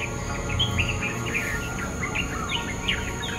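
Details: Bulbul calling in a quick run of short, bright, chirpy notes, some slurred up or down, several overlapping in bursts over about three seconds, against a steady low hum and a constant thin high whine.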